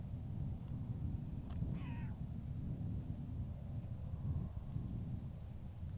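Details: One of a few Short-eared Owls flushed and flying around Wah'Kon-Tah Prairie gives a single short, nasal, falling, almost meow-like bark over steady heavy wind rumble.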